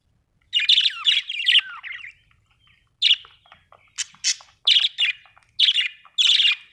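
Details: Budgerigar chirping: bursts of bright, scratchy warbled chirps, a quick run of rapid notes followed by short squeaky phrases spaced roughly every half second, with a quiet background.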